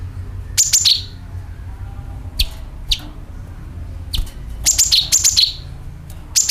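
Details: Sooty-headed bulbul, a calling and rattling sound used to attract birds: sharp high chirps and dropping notes in irregular bursts, a tighter run of repeated phrases near the end, low background hum.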